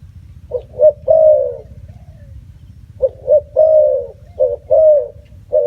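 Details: Spotted dove cooing: two phrases, each a pair of short notes followed by a long, slightly falling coo, spaced about three seconds apart over a steady low rumble.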